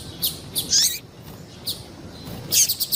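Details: High, clipped chirps from a female double-collared seedeater calling to excite males: short sharp notes with a few downward-sweeping ones, then a quick cluster of rapid ticks near the end.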